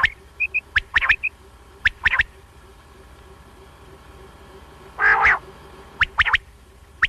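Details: Quail (batair) calling, recorded for morning and night hunting: sharp, clipped stacked notes in pairs and triplets, plus one longer harsh rasping burst near the middle; faint short high chirps sound in the background.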